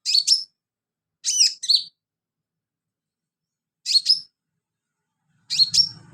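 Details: Sunbird in full song, used as filler song for training other birds: four short bursts of sharp, high, twittering chirps with sweeping notes, separated by silent gaps of one to two seconds, and a faint low hum at the end.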